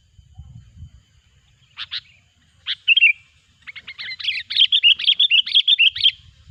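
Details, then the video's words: Sooty-headed bulbul song used as a lure to attract bulbuls for trapping. It is loud and clear: a few short chirps, then a fast run of bright, bubbly, repeated notes, about ten in two seconds. "suara burung kutilang gacor pikat terampuh"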